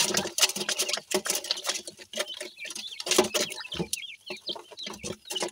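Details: Dakhni teetar (partridge) chicks interacting during play; scratchy taps and thuds mix with runs of rapid, high chirps, clearest toward the end.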